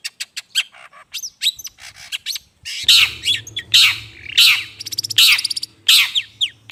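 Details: Long-tailed shrike sound for luring birds: quick ticking chatter at first, then loud rasping squawks in an uneven series over a steady low hum.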